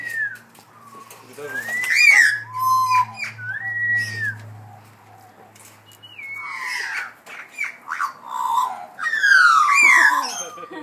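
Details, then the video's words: Several Australian magpies giving odd vocalisations, recorded on an iPhone: a run of varied whistled slides, upward and downward swoops and rich gurgling warbles, loud and overlapping, with a low steady hum underneath in the first half. "Australian Magpies Making Weird Noises!"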